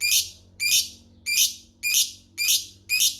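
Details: Lovebird kept by bird hobbyists, building toward a long ngekek chatter: six harsh, buzzy, high chirps, evenly spaced about every half second, with a faint low hum underneath.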